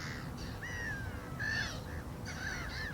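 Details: Black-winged stilt giving three or four drawn-out, nasal, downslurred yelps with strong overtones, spaced by short gaps, over faint low background rumble.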